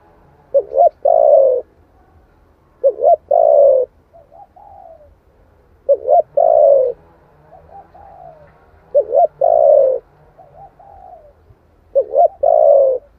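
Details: Spotted dove song in the 'thổ' style, used to stir wild doves into answering. Five phrases come about every three seconds, each a short double note followed by a drawn-out falling coo and a faint trailing murmur.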